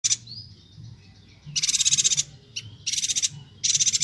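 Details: Energetic Bornean yuhina, recorded for tutoring songbirds: long rattling bursts of fast, buzzy ticking notes with brief thin rising whistles between them, roughly every second.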